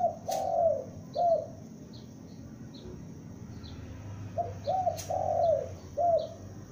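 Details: Young spotted dove kept as a calling lure, cooing in loud low phrases: short notes leading into a long sliding coo, two phrases separated by a silent gap, with soft high bird chirps behind.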